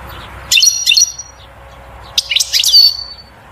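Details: Goldfinch song in 'batbata' style, meant to excite a female toward mating and nest building: two quick chattering twitters, then a longer tinkling phrase ending in a drawn-out whistle.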